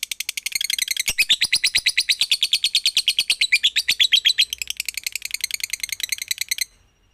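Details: A lovebird's fast, piercing chirp series, meant as a lure to make other lovebirds sing, builds from softer notes into loud, dense chattering and stops abruptly, leaving near-silence for the last half second.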